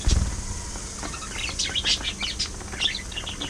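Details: Pet budgerigars chattering among themselves in a group given to play fights and mutual grooming: a burst of bright, rapid chirps and short warbled notes over soft background noise.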